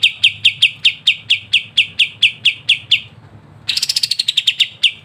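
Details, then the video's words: Kapas tembak singing crisp ngebren-style master song for songbird training: a steady run of sharp repeated chips, a short pause, then a faster burst of higher, brighter notes. "KAPAS TEMBAK GACOR NGEBREN RENYAH‼️MASTERAN GACOAN"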